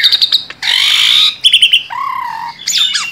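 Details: Tame Asian pied starling giving quick chips, then a long harsh grating squawk, short buzzy notes, a low drawn-out nasal whistle, and a final burst of squeaky notes.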